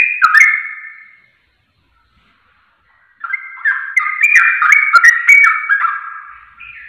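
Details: Sooty-headed bulbul song used as a lure to make other bulbuls sing quickly. A bubbly whistled phrase, a pause of about two seconds, then a rapid run of short, liquid, slurred notes with sharp clicks.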